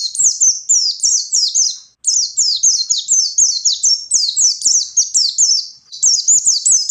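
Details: High-energy forest-style song of a wild white-eye, aimed at provoking rivals. Busy, twittering phrases of steeply falling high notes follow almost without pause, with only brief dips between phrases.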